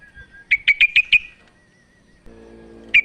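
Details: A female sooty-headed bulbul calls the male, used as a lure to get silent males singing. A burst of five clear chirps, then a thin steady whistle-like tone, a low humming noise, and one final chirp.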